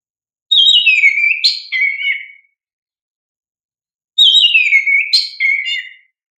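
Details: Lively oriental magpie-robin song meant to prompt young birds to respond: two matching phrases, each a descending whistle followed by quick fluttering notes, roughly four seconds apart, with silence between.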